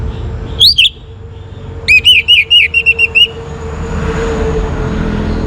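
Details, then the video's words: Young orange-headed thrush, kept to encourage other birds to sing, gives one twisting whistle then a rapid run of about eight clear descending whistles, with a steady low hum and faint hiss. "ANIS MERAH Muda Gacor Untuk Pemancing Burung Berani Berkicau"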